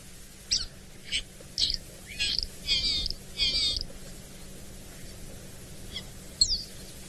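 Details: Lesser striped swallow (Cecropis abyssinica) call: a series of short, high, slightly nasal twittering notes, about one every half second, with a low steady hum underneath; a distinct call, easy to identify.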